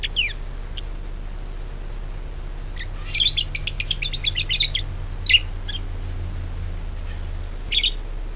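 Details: A budgerigar chatters on a lure track intended to start other budgerigars singing: isolated chirps, then a two-second run of rapid, varied, warbling twitters, followed by a few sharp single notes over low hum.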